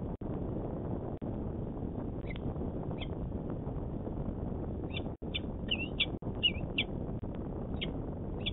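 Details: At the Manchester, NH peregrine falcon nest site on 26 February 2018, the male gives brief, high chipping notes, scattered at first and then in a quick run, over a steady low rumble of wind and traffic.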